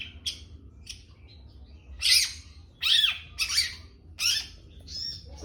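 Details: Young long-tailed shrike: a few thin clicks, then four loud, rough, downward-sweeping squawks about a second apart, ending with a fainter buzzy note.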